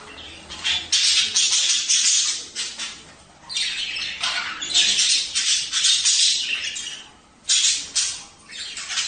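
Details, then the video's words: Budgerigar vocalizing in a recording aimed at stimulating breeding: dense bursts of harsh, rasping squawks and scratchy chatter, repeated in irregular clusters with short pauses between them. "تحفيز البادجي على التزاوج"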